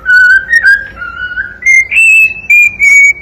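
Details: Cockatiel song of smooth sustained whistles gliding gradually upward in pitch, the later notes held long and pure with brief breaks between them.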